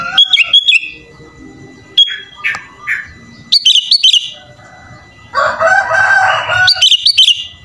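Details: Kutilang, the sooty-headed bulbul, singing gacor full isian with mimicked phrases: quick whistled flourishes and short slurred notes, then a harsh broad buzzy stretch before bright whistles return.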